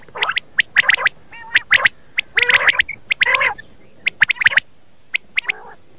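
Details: Common quail lure call for morning hunting: sharp, clicking three-note bursts mixed with a few softer, nasal, harmonic notes, irregularly spaced over six seconds.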